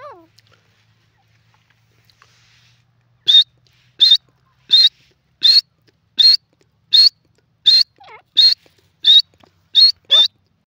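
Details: Grey francolin, or teetar, recorded in India: after about three quiet seconds, a fast series of eleven sharp, high, even notes, one roughly every 0.7 seconds, with a fainter lower wavering note near the end.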